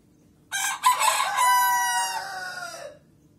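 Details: One Leghorn rooster crow lasting about two and a half seconds. It opens with a harsh burst, then holds a strong, steady tone and fades away slightly lower at the end.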